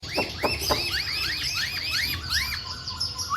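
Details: Masked laughingthrush singing vigorously: a fast series of loud, arching whistled notes, each rising then falling, repeated about every quarter second, over a constant high hiss of other chirping birds.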